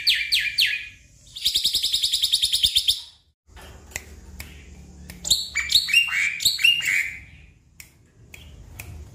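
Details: Caged black-winged myna song, used to prompt a stressed bird that will not sing: a few harsh chirps, a rapid chattering burst, a pause, then scattered squeaky and whistled notes of varied pitch.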